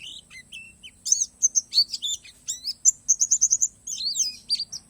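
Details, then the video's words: Oriental white-eye of the palas Borneo type singing isian alam: soft lower whistles first, then loud high chirps and a rapid even run of five piercing notes, followed by warbled slurs. "SUARA PLECI PALAS BORNEO"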